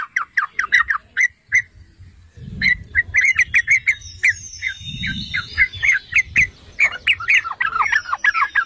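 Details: Yellow-vented bulbul song used as a lure to provoke other bulbuls into singing: fast runs of short, bubbly, chirping notes, several per second, with a thin high whistled line partway through and soft low rumbling underneath.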